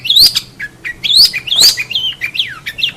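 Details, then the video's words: Long-tailed shrike on a master recording for tutoring songbirds: loud upslurred whistles alternating with downslurred notes and short chips in a varied, halting phrase. "Masteran cendet"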